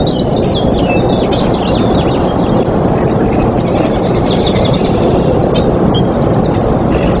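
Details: Bald eagle, one of a nesting pair in a tree at Trempealeau, Wisconsin, on 24 April 2024, gives thin, high chittering runs of short notes in two bursts, half buried under loud, steady low rumbling noise.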